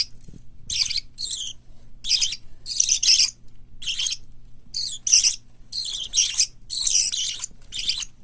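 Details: Chicks of white lovebird, cockatiel and budgerigar, kept as future hand-tame pets: rapid, hoarse, high-pitched chirping bursts, often in pairs, closely packed and uneven, with a soft low bump near the start.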